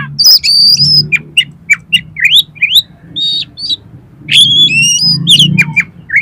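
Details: Competition-style oriental magpie-robin song: loud sustained whistles, quick upslurred chirps and rattling bursts in a steady stream, with low background hum.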